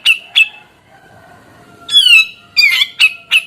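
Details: Grey-cheeked bulbul in active song: two short squawky notes, a pause with a faint thin tone, then a long falling nasal note and a burst of clipped, overlapping harsh notes.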